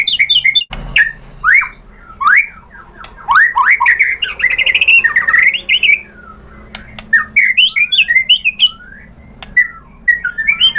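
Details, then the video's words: White-rumped shama song played to provoke a rival bird: loud, varied whistled phrases of sharp rising and falling slurs, delivered in bursts with short gaps and scattered clicks. "pancingan MURAI BATU GACOR FIGHTER ampuh untuk menaikkan emosi biar NYAUT BONGKAR ISIAN | SHAMA BIRD"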